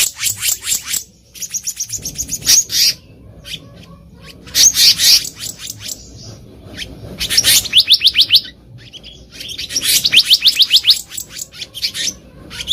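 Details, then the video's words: Wild black-naped monarch recorded as a trapping lure, calling in repeated one-second bursts of fast, high, buzzy notes separated by short gaps. "SUARA ASLI BURUNG KEHICAP RANTING DI ALAM LIAR EDISI KHUSUS PIKAT"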